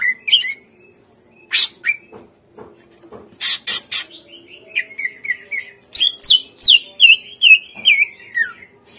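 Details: Greater green leafbird song meant as a lure so untrained captive birds respond: a few harsh scratchy bursts, then a lively series of quick whistled notes steadily cascading downward.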